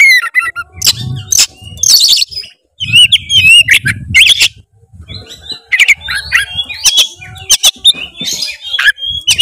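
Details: Oriental magpie-robin song meant to provoke a reluctant bird, with varied whistled phrases, rattling harsh bursts and short pauses, over faint low background rumble.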